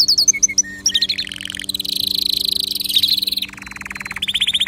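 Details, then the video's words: Singing canary, song aimed at prompting other birds to sing: bouncing whistled notes falling in pitch, then a continuous warbling rapid trill and a lower rolling section, repeated briskly throughout. "هل تبحث عن تغريد كناري يحفز طيورك على الغناء أسمعه"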